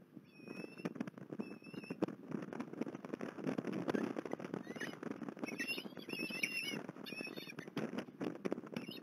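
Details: Osprey recorded at Port Lincoln on 21 December 2020: a couple of thin whistles early on, then a rapid run of high, wavering whistled calls midway, set against a constant crackling, rustling background.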